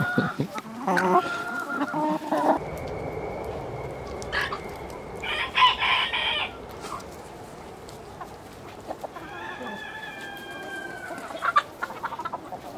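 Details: Chickens in a village setting cluck and squawk in short harmonic bursts, with a drawn-out crow-like call near the end over steady barnyard background noise.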